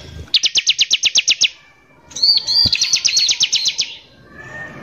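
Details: Bar-winged prinia singing hard, its rough bursts used as a lure to anger rival prinias: a fast, even series of sharp high notes, a short gap, then a busier trill mixed with looping whistles.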